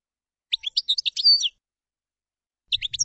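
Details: Common chaffinch song phrase: a quick run of high, sliding chips that speeds up into a short flourish, then silence before a new phrase begins over a faint low rumble.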